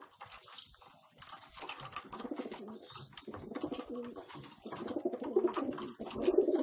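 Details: Homing pigeons inside their loft while parents feed their young: repeated low throaty cooing phrases grow louder toward the end, with high thin whistled squeaks from the young and scattered clatter.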